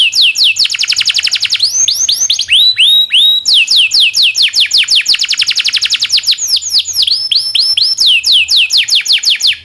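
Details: Local canary in long rolling song, used as a tutor for magpie-robins, shamas, leafbirds and other songbirds: rapid trains of bright downslurred whistled notes, alternating fast rolls with slower swooping phrases, continuous throughout.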